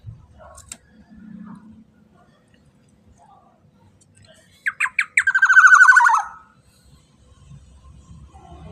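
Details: Black-naped oriole call used to coax other orioles into calling: quick short notes rolling into one loud, buzzy, downward-sliding squawk, with faint background murmur before and after.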